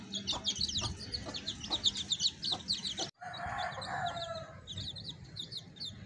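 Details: A hen with baby chicks: steady high-pitched peeping from many chicks, then after a brief cut a louder, drawn-out harmonic call from an adult bird lasts about a second before the peeps resume.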